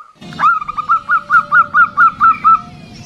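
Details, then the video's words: Local female zebra dove calling, used as a lure for males: a quick run of about nine short, clipped notes at an even mid pitch, slightly uneven spacing, over a low rumbling background. "SUARA PERKUTUT BETINA LOKAL BUAT PANCINGAN"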